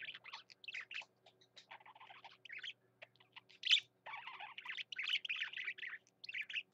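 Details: Male pet parakeet singing its heart out: a long, continuous chattering warble of scratchy chirps, clicks and squeaky whistles, briefly peaking in a sharp loud note midway.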